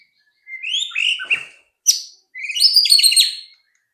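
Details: White-rumped shama song used as a lure to get other shamas singing quickly: rising whistled notes, then a brief sharp burst and a long buzzy, rattling high phrase, with short silent gaps between.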